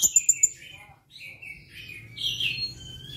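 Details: Blue-crowned hanging parrot singing in response to a lure recording: four quick, very high, thin piping notes, then softer, lower chirps and buzzy trills with a faint low hum behind.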